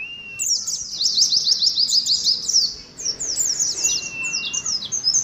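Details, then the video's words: Oriental white-eye kept for colony singing, in ngalas competition style: a lone steady whistle, then rapid shrill downslurred twitters in bursts, with another long flat whistle running through the second half. "TERAPI ADU NGALAS SAAT KOLONI PLECI"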